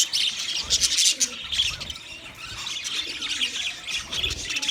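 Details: Chirping budgerigars produce a thick, steady wash of high-pitched twittering and short sharp squeaks, loudest in the first second.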